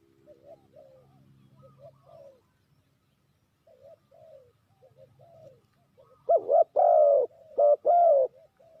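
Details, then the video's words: Spotted dove calling as a trapping lure: mellow, low cooing phrases, quieter at first, then several very loud, close, slightly distorted coos near the end, with a faint low hum in between. "Sound Of Spotted Dove"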